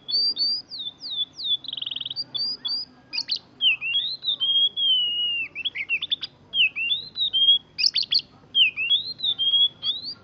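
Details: Young kacer, an Oriental magpie-robin only recently out of juvenile feathers, reproducing canary rolls: thin high whistled slurs, a brief buzzy trill, then wavering looping phrases and sharp clicks separated by short gaps, over a quiet low rumble.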